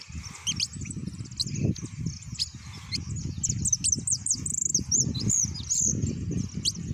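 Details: An Argentine hooded siskin sings a fast, unbroken stream of high twitters and thin trills, over a steady low rumble.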